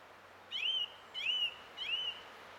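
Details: Song thrush singing, recorded 20 April 2016: one clear whistled phrase, slightly downslurred, delivered three times in a row about every 0.6 seconds, with a quiet background.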